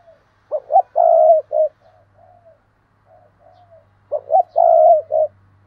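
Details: Spotted dove used as a decoy, giving two full calling phrases of short hoots, long coo and closing note, separated by soft low murmured coos.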